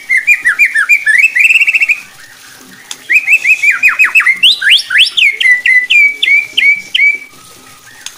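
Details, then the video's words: Strong white-rumped shama song played to provoke other shamas to sing aggressively: rich rapid phrases of repeated whistled notes, some trilled, some swooping down sharply, in two bursts separated by a short pause. "TEMBAKAN JITU,//,bikin MURAI BATU LAIN JADI GACOR EMOSI,,MUNTAH ISIAN"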